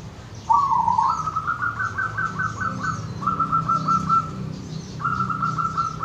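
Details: Zebra dove, a wild local bird recorded in nature in Wonogiri, singing a long series of quick, bubbling, trilled coos. The phrase steps slightly higher after the first burst, pauses briefly, then resumes. Low hum and faint distant chirps behind.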